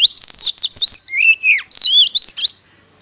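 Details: A magpie-robin singing to compete, three seconds of loud liquid whistles, with a few long sweeping notes that dip low and rise again, phrases tightly joined and abruptly ending.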